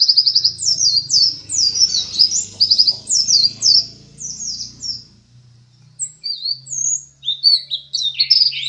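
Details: Pleci dakun white-eye, placed second in a contest, singing energetically: about five seconds of rapid, high, swooping chirps over a low background hum, then a quieter stretch with sparse, separated high notes.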